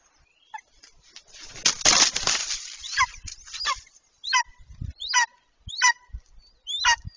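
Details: Golden eagle pair mating on their nest on 26 March 2023, picked up by a live nest camera: after rustling and bumping noises, a series of sharp, descending, slightly harmonic yelps repeats about every half second.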